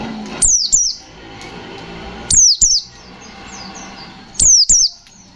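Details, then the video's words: Fighter-type white-eye (pleci) song in 'ngalas nembak' style: loud doubled high whistles sliding downward, repeated roughly every two seconds, with faint softer chirps between. "Suara burung pleci Gacor fighter Ngalas nembak, Sobek sobek"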